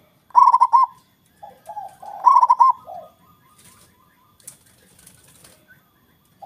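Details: Loud local zebra dove calling to draw rivals into answering: two quick phrases of rolling, bubbling coos, then softer low coos trailing off, with faint wing flutters and quiet background.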